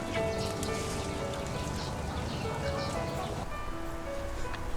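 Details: Soft background music with held tones plays over a low, steady rumble, and no animal voice stands out.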